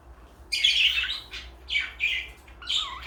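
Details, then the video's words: Two pet parakeets, one blue and one light yellow, give scratchy, raspy, high chirps in three or four noisy bursts, with a short warbled whistle near the end. "Beautiful parakeets"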